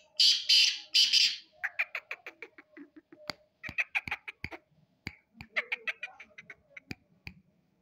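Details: Black francolin voice: three loud, harsh bursts open, followed by a long irregular train of scratchy clicking and chattering notes with sharp ticks scattered throughout.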